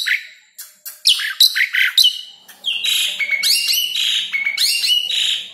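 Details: Asian pied starling song for training caged birds: a varied run of loud whistles, slurred upward notes and harsh chattering phrases, strung together almost continuously.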